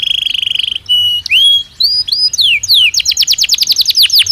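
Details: Singing Belgian canary: a quick buzzy trill, then clear whistled upslurs and glides that speed into a run of sharp, evenly spaced descending notes.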